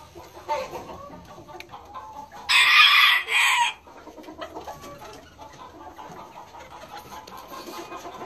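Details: Golden Sebright bantam in a flock: a harsh, raspy crow in two sections midway through, set against a steady murmur of quieter clucking and flock noise before and after.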